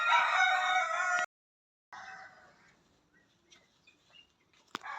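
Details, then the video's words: Dancing peacock giving a loud, harsh, flat nasal call lasting just over a second. Silence follows, then a shorter, fainter call and a few scattered soft chirps. It ends with a sharp click and a brief burst of noise. "Beautiful Dancing Peacock with Natural Sound"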